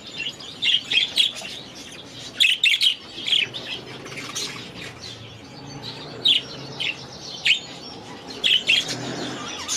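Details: Budgerigars in their aviary give sharp, high chirps in short clusters roughly every second or two, with softer twittering between and some wing flapping.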